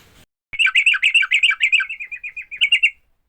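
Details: Fighting song of a sooty-headed bulbul, meant to make other bulbuls sing: a single run of about two and a half seconds of quick, slurred chattering notes repeated roughly six times per second, slightly softening toward the end.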